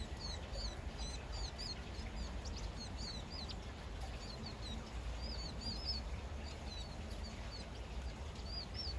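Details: Flock of vinous-throated parrotbills on a morning along Uicheon stream, South Korea: a busy chatter of thin, high, slurred chips, several each second, over a steady low rumble of wind or distant traffic.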